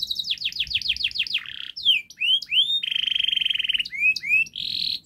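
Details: Singing canary giving a long, fast, dense model song meant to prompt young canaries to sing: a run of quick falling whistles, a buzzy note, rising sweeps, then a rapid rattling trill and more upslurred whistles.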